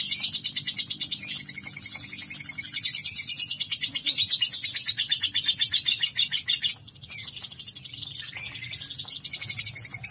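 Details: Pet lovebird singing the long chattering 'ngekek' song: a rapid, dense run of high, scratchy pulses that carries on for about seven seconds, breaks off briefly, then resumes just as fast.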